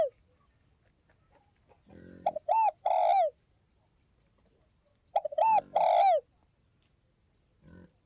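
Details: Spotted dove cooing twice in a clean setting. Each phrase is brief stuttering notes and then a long, falling coo, with faint low thumps between phrases.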